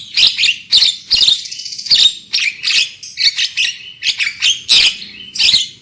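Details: Javan myna singing as a lure to make birds sing loudly, with dense rasping squawks and chattering notes delivered in quick irregular succession throughout.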